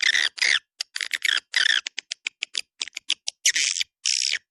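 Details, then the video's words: Calls meant to lure swiftlets, from a "Dua Bidadari" sound used in a central swiftlet area: raspy buzzy chirps mixed with bursts of short dry clicks, in an uneven run of notes. "SUARA PANGGIL WALET DUA BIDADARI"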